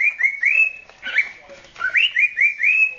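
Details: Nine-month-old male cockatiel whistling while courting. Clear upward-sliding whistles follow one another with a brief rougher chatter in the middle, then a fresh series of rising whistled notes.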